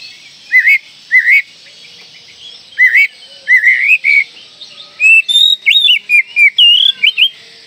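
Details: Oriental magpie-robin in full song with its tail spread, used to lure young birds into singing. Rising, hooked whistles repeat several times, then a quicker run of high, varied whistles and sharp chips.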